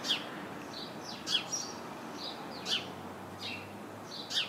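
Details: House sparrow perched chirping in a bush full of house sparrows; sharp, bright chirps repeated about every 1.3 seconds, with softer chirps from other sparrows between them.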